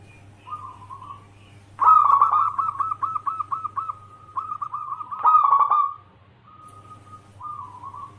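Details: Local zebra dove singing as a lure to draw other doves: a rough rolling opening followed by a run of short cooing notes near one pitch, rapidly repeated, with quieter single coos before and after; steady low hum beneath.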